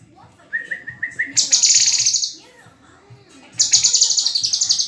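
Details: White-rumped shama: five quick rising whistled notes lead into a loud, fast, buzzy high trill that fades, then a second trill bursts out after a pause.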